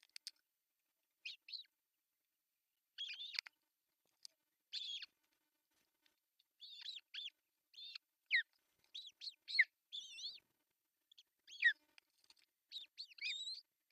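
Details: At an artificial osprey nest in Pohjois Satakunta, Finland, June 10, 2024, while the male brings a large fish for breakfast; repeated high squealing whistles, sporadic at first, then a busy run of wavering chirps.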